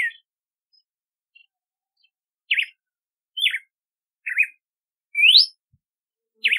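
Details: Red-cowled cardinal delivering a series of clear whistles: wavering, down-slurred notes followed by a long upward sweep, spaced about a second apart, with no background noise.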